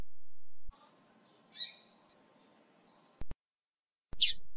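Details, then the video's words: A female double-collared seedeater gives two brief, high chirps a few seconds apart over a faint low hum with a couple of sharp clicks, a call used to stimulate a male seedeater. "canto de femea pra Esquentar seu coleiro"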